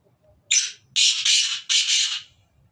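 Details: Black francolin (kala teetar of Sindh) calling: a short scratchy opening note, then three loud rasping, grating phrases in quick rhythm, with little background sound.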